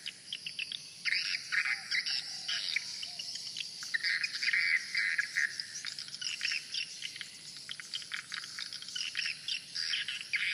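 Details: Many swiftlets flying around the main entrance hole of a swiftlet house give a busy chorus of high, rapid twittering chirps in overlapping bursts, over a steady thin high-pitched whine.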